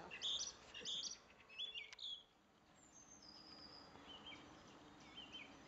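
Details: Common blackbird singing from a treetop in a garden in Germany: a few bright, squeaky, high twittering phrases in quick bursts over the first two seconds, then fainter thin whistles and soft chirps against light background hiss.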